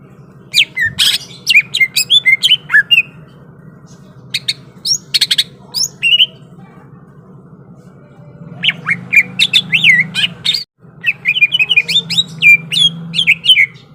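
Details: Greater green leafbird ready to fight, pouring out dense runs of sharp high chips, squawks and whistled slurs, pausing near the middle before a fast second outburst, with a continuous low hum underneath.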